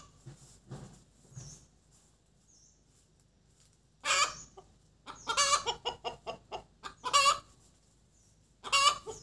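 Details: Egg-laying hen giving the cục tác cackle: near silence with faint clucks at first, then a sudden loud squawk followed by rapid staccato clucks and further harsh drawn notes.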